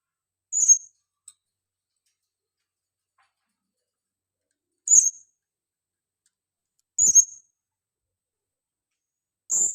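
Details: Lure calling from a female blue-crowned hanging parrot: four short, piercing, very high notes, each sharp and slightly slurred, spaced two to four seconds apart against silence.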